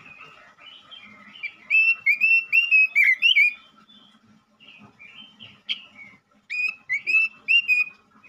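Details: A male robin sings to stimulate other robins: a loud burst of fast bright whistled phrases, a softer warbling stretch with a sharp click, then another run of repeated ringing slurs.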